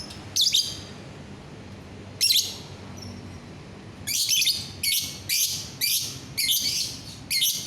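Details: Lovebird, 9 December 2021: loud shrill screechy calls, two isolated, then a rapid series of six or seven harsh notes about half a second apart.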